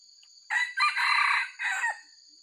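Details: Red junglefowl, described as an original white-legged wild bird, crowing for use in luring wild junglefowl: one harsh, broken, harmonically rich crow in three segments lasting about one and a half seconds, with steady high-pitched insect-like tones running throughout.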